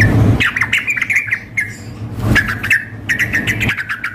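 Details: Sooty-headed bulbul contest simulation, a female calling a male with a fiercely singing male; short bursts of quick squawky chirps separated by gaps, with low rumbling and thuds between.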